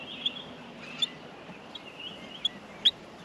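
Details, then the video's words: Nestling Australian miners clamour during feeding, a steady high hissing begging note broken by sharp, squeaky chirps roughly every half second to second. "Australian Minor baby birds in the nest feeding"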